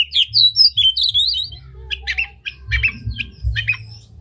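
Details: Oriental magpie-robin singing an unusual song with tail open, used to excite rival magpie-robins; clear warbled whistles open the phrase, followed by clipped chirps and scratchy notes in short bursts over low background rumble.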